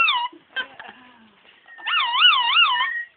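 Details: A captive cockatoo at the National Birds of Prey Centre, Gloucestershire, England, gives a short harsh squawk and then a loud, wavering, siren-like wail that rises and falls about three times, like a car alarm.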